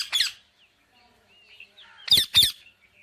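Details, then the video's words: Indian ringneck parakeet squawking: a harsh broadband call, a pause with faint soft chirps, then two loud raspy squawks in quick succession near the end. "Amazing Parrot Chirping Sounds"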